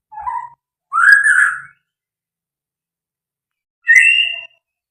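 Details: White-rumped shama song in the fighter style with full material: a low whistled note, then a louder rich slurred phrase, a pause of about two seconds, and a higher clear whistle. There is no background noise.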